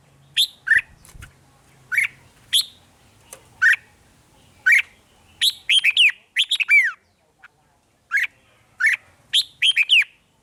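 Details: Red-whiskered bulbul 'rik' song used to stir up caged birds. Short clear chirps and rolling warbled phrases repeat steadily, with a brief low rumble at the start.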